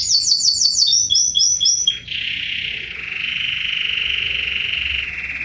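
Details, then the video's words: A young Belgian canary sings loudly, a run of quick, bright, high notes, about four a second, then a long, even, rolling trill at a lower pitch. "canario belga novo cantando bonito"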